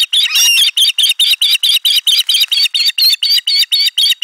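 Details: Osprey at nest 4 on 3 June 2022, sound heard from the egg as a chick hatches: a fast series of thin, high chirps, about two or three each second.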